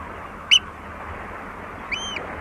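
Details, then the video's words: Oystercatcher at Walney, recorded close, giving two sharp, high piping notes about a second and a half apart over steady lapping water and a broad background hiss. "Oystercatcher. Various Calls CU"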